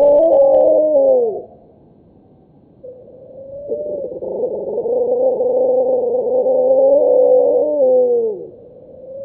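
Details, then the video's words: A water rail squealing like a piglet, slowed fivefold: two long, wavering, harmonic squeals that sag in pitch at the ends, separated by a brief quiet gap. "Water Rail squealing"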